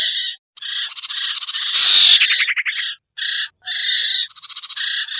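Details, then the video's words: Common iora, locally sirtu or sertu, as a lure for birds reluctant to come down: dense scratchy rasping notes almost without pause, broken by fast ticking rattles and one louder harsh burst. "suara pikat burung sertu sirtu cipoh yang susah turun"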